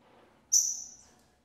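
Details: Double-collared seedeater female feeding chicks at a breeding facility: one clear, very high whistle that starts loud and thins out over half a second in a quiet background.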